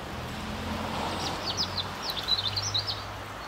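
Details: European serin (Serinus serinus) calling at the Ljubljana Botanical Garden on 18 January 2023: quick, high, tinkling chirps in short bursts over about two seconds, against a low steady traffic rumble.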